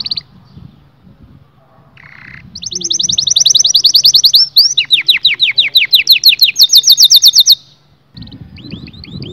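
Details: Canary song intended to excite males and females into mating: rapid high rolling trills and quick slurred phrases that shift pattern several times, with background music faintly beneath.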